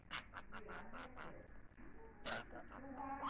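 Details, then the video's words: A budgerigar talks in Turkish, repeating a phrase in rapid, scratchy, speech-like bursts several a second, then slides into thin warbled tones and a sharp high squeak. "muhabbet kuşu konuşuyor"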